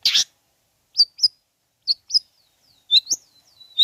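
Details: Long-tailed shrike song meant to provoke other shrikes: a harsh burst followed by paired high chirps and thin sliding whistles, delivered in short spaced groups.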